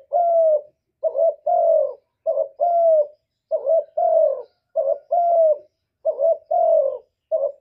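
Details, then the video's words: Steady cooing by a spotted dove in the 'gọi một hậu ròng' style: each phrase is a brief soft note then a drawn-out, gently descending coo, the phrase repeated around six times with little pause. "cu gáy gọi một hậu ròng"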